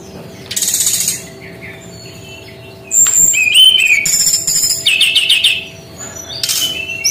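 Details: Brown-chested jungle flycatcher with a unique 'tembakan' song style: a short harsh burst, a quiet gap, then a high thin whistle and a dense sequence of slurred whistles and buzzy chatter, over a faint hum.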